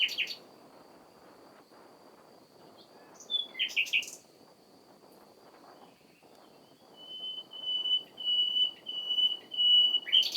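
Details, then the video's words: Common nightingale singing in spring. Scattered short chirps come first, then a series of pure, high, sustained whistled notes on one pitch, repeated in a swelling run over a steady low background hiss. "Ruiseñor Común cantando, el Tenor del bosque"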